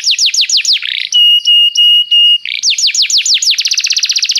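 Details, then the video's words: Canary song used as a tutor recording for training other canaries: a run of fast descending whistled sweeps, then a steady held tone with pulsed breaks, more sweeps, and a rapid even trill to finish. "professor para o seu canto canário em breve - o melhor treinamento canário"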